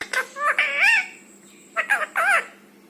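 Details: Rescued rose-ringed parakeet kept indoors, talking in mimicked human words: two bursts of nasal, harmonic-rich syllables with wavering pitch, separated by a short pause, over a steady background hum.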